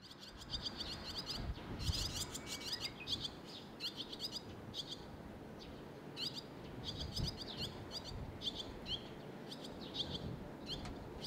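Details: Young barn swallows waiting together for food in Sendai, June 2021, recorded with a shotgun camera mic: bursts of high, thin chirping in rapid clusters, repeated in waves every second or two over a low rumble of background noise.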